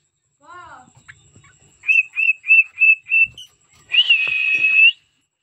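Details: After a low, faint curved sound, the cockatiel gives five short, evenly repeated whistled notes, then a long, slightly wavering whistle.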